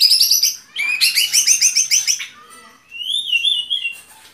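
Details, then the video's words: White-rumped shama singing a fast, varied phrase: high piercing whistles, then a rapid trill of bright repeated notes, a brief pause, and a smooth rising-falling whistle. "Relaksasi suara Burung Murai Batu"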